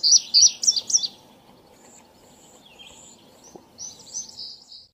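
Indigo Bunting singing a quick run of high, sweet, paired notes, then a pause and a second brief phrase, over a faint low rumble.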